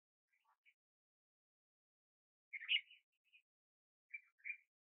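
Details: White-spectacled bulbul (Pycnonotus xanthopygos) at Ash Shafa, Taif, Makkah Region, Saudi Arabia, gives short, bubbly chattering phrases in a mid-high pitch, with three brief bursts spaced a second or two apart over near silence.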